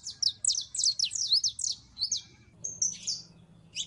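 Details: A female canary in breeding condition calls to attract a male: a fast run of about ten sharp downslurred chirps, then a whistled note and a few softer chirps.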